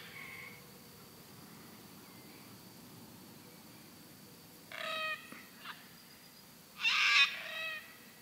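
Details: One of a pair of Sulphur-crested cockatoos at sunset on a farm near Darwin, Australia, gives two harsh, grating screeches about two seconds apart, the second louder and longer; a faint whistle early and a thin steady high tone behind.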